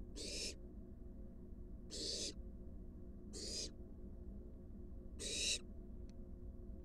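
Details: Wild barn owl adult delivering a large rat to its fledgling in a nest box: four loud, breathy hiss bursts at irregular gaps, followed by a faint click.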